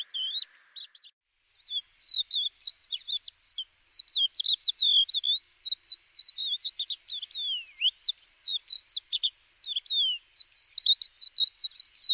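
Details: Crested lark singing, from a guide to the birds of Córdoba: a long, fluent run of chirping, slurred and trilled notes with occasional downward-sweeping whistles, delivered in quick varied bursts with short gaps.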